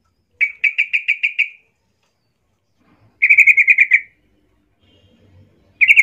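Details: Yellow-vented bulbul in a fierce, rival-seeking mood, singing bursts of rapid, evenly spaced chirping notes, each run lasting about a second and repeated after pauses, with faint low rumbles between phrases.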